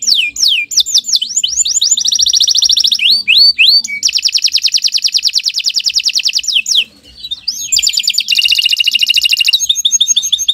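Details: Kenari canary performing long morning gacor song as a tutor: a few falling whistles lead into long, rapid rolling trills, a brief quiet dip, then another high buzzy roll.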